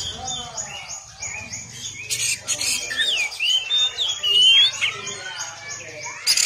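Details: Oriental magpie-robin (kacer) song used as masteran training material: rich, looping whistled phrases sliding up and down, with a busy background of rapid, repeated high chirps and a low hum.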